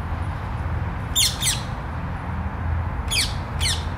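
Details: Rose-ringed parakeet from the feral population in a German park, descended from escaped pets, gives four harsh, screechy, downslurred squawks in two quick pairs, over a steady low rumble of wind or distant traffic.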